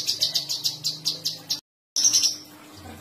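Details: Sooty-headed bulbul, called cucak cungkok, in a recording of varied sharp songs. A steady series of high pulsed notes repeats about every tenth of a second, breaks off, then resumes as a brief fast trill.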